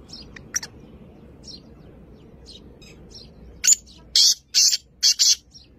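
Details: Call of a black francolin, known locally as kala teetar or Sindhi teetar, dated 2-1-2024: scattered faint chirps, then a rasping series of about five strong scratchy notes near the end over a soft low hum.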